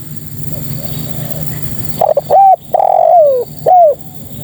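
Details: Spotted dove female calling to males: after two seconds of low background hum, a phrase of two short hooked coos, a long drawn-out falling coo and one final rising-falling note.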